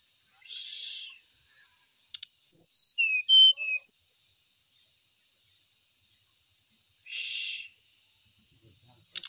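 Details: Ashy tailorbird song used as a lure to get other tailorbirds singing: a quick run of about six short, clear whistled notes that step down and back up mid-clip, with two soft hissing noise bursts before and after and quiet between.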